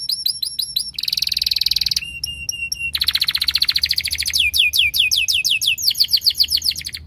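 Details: Canary song switching every second or two between tours: clipped high notes, a buzzy roll, a long fast trill, then chains of down-slurred notes.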